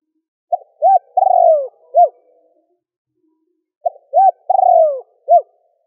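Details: Spotted dove giving its cooing and urging call, used to stimulate newly caught birds to start singing quickly. Two identical phrases about three seconds apart, each with four low coos; the third note is a longer rolling purr that slides downward. The background is quiet.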